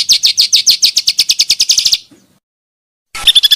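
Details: Pancawarna bird lure sound, also for song tutoring: a fast, steady run of high, downslurred chirps, a short silence, then a renewed burst of rapid notes.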